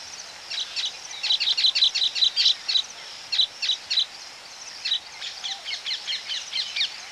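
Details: Baya weavers recorded close up at their colony chatter in quick, high, sparrow-like chips, several birds calling over one another in bursts and short pauses; Ring-necked Parakeet flight calls are also in the recording.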